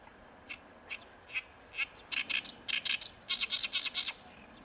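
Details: At Ikeshima, an Oriental reed warbler sings: a few isolated scratchy notes, then loud croaking, chattering phrases of quickly repeated harsh syllables.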